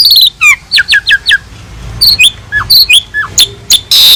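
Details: Asian pied starling master song with varied fill-ins, used to train other birds: a quick trill, several downslurred chirps, scattered upslurred whistles and a harsh burst closing the phrase.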